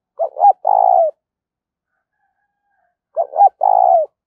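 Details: Spotted dove kept as a decoy to provoke wild doves into cooing quickly: two matching phrases three seconds apart, each a short clipped note, then a long low rolling coo that slides downward, in a silent setting.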